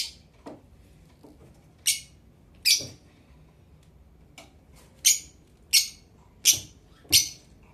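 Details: Blue Fischer's lovebird, a pet indoors, giving sharp, high shrill chirps in short bursts, roughly one every second, against a quiet background.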